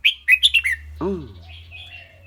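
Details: Red-whiskered bulbul in a cage singing clearly, five quick bright whistled notes in a tumbling phrase, followed by a low, drawn-out falling harmonic sound and a faint thin trailing whistle.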